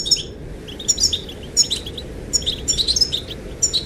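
Goldfinch twittering: quick, bright, tinkling chirps and trills in loose bursts, over a steady low rush of wind.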